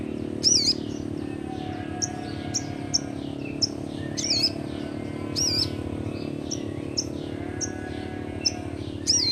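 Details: Crimson Sunbird, a young sogon, delivering ngleper-style song to lure quiet birds into singing: sparse, bright high chips spaced a second or so apart, with brief louder flourishes, over background hum.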